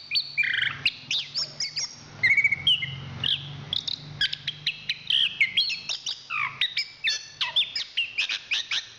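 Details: Champion Chestnut-capped thrush delivering a fast medley of clear whistles, upslurred notes and short buzzy chips in quick succession over a steady low background hum.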